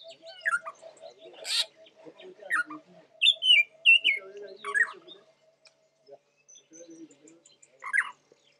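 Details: Spotted palm thrush at Lake Baringo, Kenya, in January 2006: a varied run of short whistled and chirping phrases, some sliding down, with sharp rising notes, pauses between, and a steady low hum beneath.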